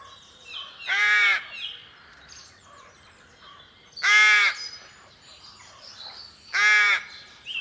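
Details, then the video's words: Rook, whose call is higher-pitched than other crows', gives three harsh, rasping caws about every three seconds, with a faint background hum. "它的叫声与其他乌鸦相比，音调会更高一些。下面我们来听一听吧。"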